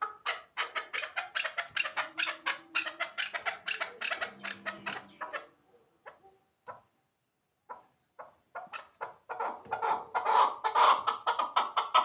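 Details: Chukar partridge near Shahritus calling in fast repeated clucks that pause into a brief quiet gap, then resume as a dense chattering series.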